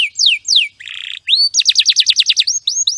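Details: Canary song used as tutor material for training other songbirds: clear descending whistled sweeps, a short buzzy rattle, then a fast run of about a dozen bright repeated notes and closing whistles, with no background noise.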